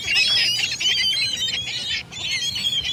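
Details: Massed gulls give a continuous wash of harsh, wavering cries, with a brief dip in the middle before the chorus resumes.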